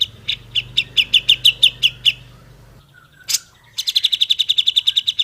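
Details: Grey-cheeked bulbul, a master recording kept to teach other bulbuls to sing faster: rapid series of bright chip notes, about ten in two seconds, then a sharp burst and a longer even trill of quick repeated notes.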